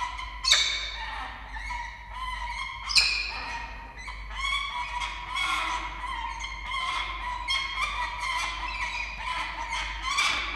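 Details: Wild peregrine falcons at a nest camera in Orange, Australia, 21 August 2023, as the male brings a live starling to the female, who refuses it. Harsh, harmonic calls are repeated rapidly and overlap for the whole stretch, with two louder sharp cries early on.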